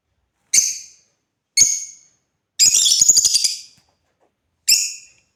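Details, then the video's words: African lovebird chirps, two shrill single calls, then a long buzzy rattling chatter of about a second, then one more harsh chirp. "Love Birds #playing"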